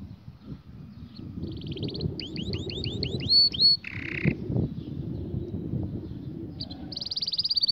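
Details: Canary singing a song meant for training young canaries: a varied run of a rapid trill, then a series of descending whistled sweeps, a short buzzy rattle, and a fast rolling trill at the end, over a low rumble.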